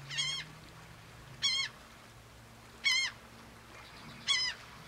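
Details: Black-bellied Plover at Port Mahon, Delaware, on 24 May 2018, giving four plaintive, slurred whistles, each dipping then rising, about every second and a half, over a faint low rumble.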